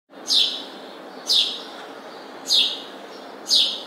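House sparrow giving four loud, harsh chirps, each a quick downward-sweeping note, spaced about one second apart over a low background hiss.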